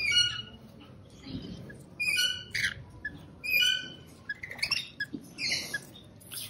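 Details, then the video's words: Rainbow lorikeet making bright, harmonic chirping and squawking notes in short clusters, with pauses of about a second between groups and quieter rasping notes in between. "Rainbow Lorikeet Bird Sound, Bird Song, Bird Call, Bird Calling Chirps"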